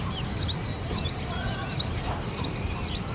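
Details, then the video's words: A purple sunbird gives high, thin, quick upslurred chips in short bursts about every second, over a low rumble of background noise. "purple sunbird calling sounds"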